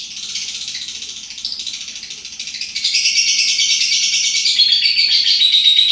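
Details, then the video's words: Lovebird, a pet bird, in continuous ngacor song: a fast, high, rattling chatter with steady pulsing, rising in loudness and pitch halfway through and ending in thin whistled strands. "love bird, lobet, Mainan baru,Ngacor lur"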